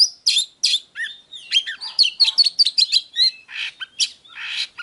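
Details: Fighting-provocation 'déo' song of an Oriental magpie-robin for wild-caught birds: harsh rasping notes and low whistled drops, then a quick series of bright chirps and slurs, ending with buzzy bursts; no other sounds.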